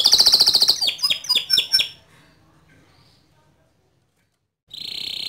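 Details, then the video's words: White canary singing loudly and in full voice: a fast buzzy high trill, then a few sharp downslurred notes, a pause of near silence, and another bright trill starting. "Kicau Kenari Putih Gacor Suara Keras"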